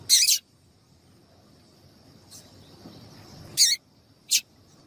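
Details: Female double-collared seedeater calling to prompt males to sing: a brief high sharp chirp at the start, then near silence before two more short bright chirps close together.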